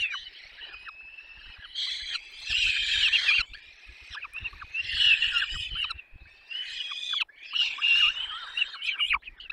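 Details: Peregrine falcon nestlings in Poland's Barycz Valley, 6 May 2021, beg as they are fed at length; rapid, scratchy, wailing calls pulse in loud bursts about every second or two, with faint low knocks.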